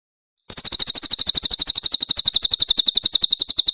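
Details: Grey-headed canary-flycatcher (cililin) singing loud harsh 'tembakan kasar' bursts for a songbird training master recording. Shrill, high chips are fired rapidly and steadily, about nine per second, over a clean, quiet background.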